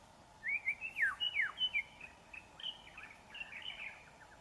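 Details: Young wild white-rumped shama in forest, singing a quick run of loud whistled slurs and chips that then trails off into softer, fainter notes.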